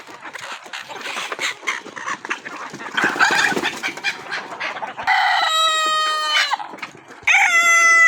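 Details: Farmyard clucking and scratching noises, then a rooster breaks in with a loud, sustained crow that ends in a falling tail, followed by the start of a second crow.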